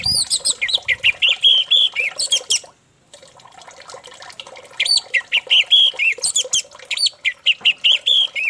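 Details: Song of an orange-headed thrush meant to trigger another thrush into full song: loud, rapid series of rich slurred whistles and chattering notes, a brief silence midway, then the fast phrases resume.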